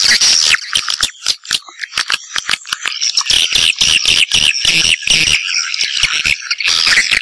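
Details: Call played to attract swiftlets: a fast run of sharp clicks, several per second, under a steady band of high, squeaky twittering.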